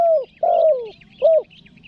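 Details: Spotted dove calling to lure wild doves, three mellow coos with the middle one longest and sliding downward, the last short and clipped, with faint bird twittering high in the background.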